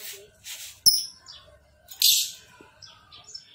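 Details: Lovebird giving sharp high chirps and one short harsh chattering burst, with quieter twitters and faint background murmur between calls.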